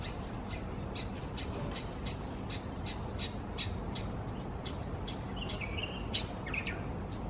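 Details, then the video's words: Bulbul scolding its reflection in a mirror, Israel, 30 August 2016: evenly spaced sharp chips, roughly two to three per second, then a quicker burst of squeaky, slurred notes toward the end, over steady background hum. "БУЛЬБУЛЬ СЕРДИТСЯ НА ОТРАЖЕНИЕ В ЗЕРКАЛЕ"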